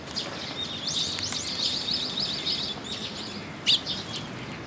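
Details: Sparrows at a shrine post in June, come to be fed: a rapid, rippling series of high chirps for a couple of seconds, then one louder single chirp, over steady background noise.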